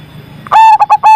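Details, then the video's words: Zebra dove with a big voice, one loud mellow coo followed by two short clipped notes and a final drawn-out coo. "PERKUTUT AMPUH ATASI PERKUTUT MACET SUARA BESAR"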